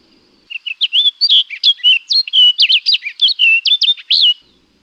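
An orchard oriole sings a rapid, jumbled run of whistled and slurred notes, about four seconds long, mixing clear whistles with buzzy chatter, against quiet background.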